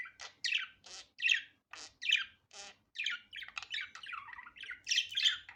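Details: Natural, unedited budgerigar sound: a steady run of harsh, chattering syllables, roughly one every second at first, becoming denser, mixed with buzzy twitters and a few louder squeaky notes.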